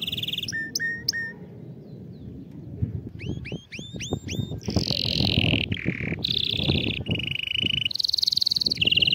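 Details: Canary song meant for teaching young birds to sing: rapid clipped trills, repeated upswept whistles and sustained buzzy notes, set against a busy low rumbling background.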